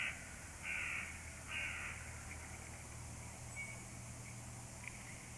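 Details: Crows calling near a nest, with two harsh caws early on and fainter calls following over a steady low hum and background noise.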